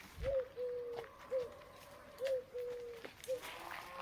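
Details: A dove on a farm in open countryside coos softly and low: a short clipped note, then a longer, level drawn-out one, the pair repeating about once a second against a quiet outdoor background.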